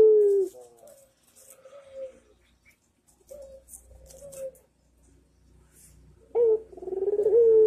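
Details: A Barbary dove coos on a master training recording: a strong opening coo, softer level coos spaced by quiet gaps, and a final loud, vibrating, wavering coo, over faint low rumble.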